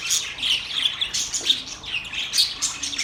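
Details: Short burst of budgerigar chatter: overlapping shrill chirps and squeaky warbled notes pulsing in quick waves.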